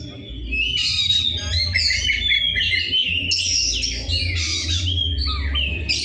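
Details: Oriental magpie-robin singing constantly with a harsh, rough voice: long varied phrases of whistles, chattering and scratchy rasping notes with no pauses, accompanied by a persistent low droning hum.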